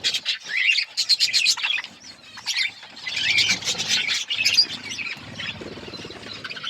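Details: Colourful budgerigars raising chicks keep up a dense, buzzy chatter of overlapping chirps, loud at first, then softer, then swelling again.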